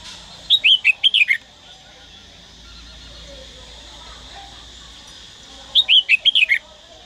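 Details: A trained red-whiskered bulbul from Daklak sings a short burst of clear, chirpy whistled notes, pauses around four seconds, then repeats a matching phrase; a soft constant hum underlies the recording.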